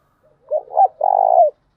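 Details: Decoy-stirring call of a female spotted dove in thúc gù style: two soft rising hoots followed by a long vibrating, burry coo that dips at the end, low and hollow, nothing else audible.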